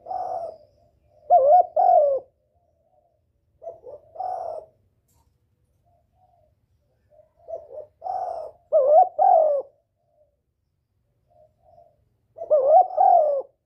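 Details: Spotted dove calling to provoke and attract a male, a lure call. Low, mellow cooing phrases come in bursts about every three to four seconds, each a few soft introductory notes and then two louder, slurred coos, with quiet pauses between.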